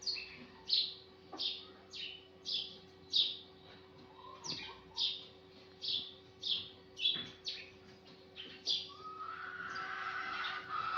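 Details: A steady morning series of sparrow chirps: about sixteen short, bright, high notes in quick succession, a little more than one per second, ending as a rising, hissing background swells.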